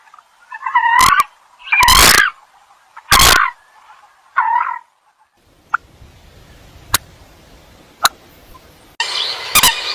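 Eurasian coot giving four loud, nasal, explosive calls in quick succession, then a quieter stretch with sharp clicks and a rush of noise at the end.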